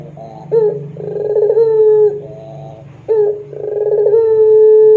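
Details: Puter pelung dove cooing on a lure recording for training: two phrases, each a quick rising note, a rolling warble, then a long steady tone, over a soft low background hum.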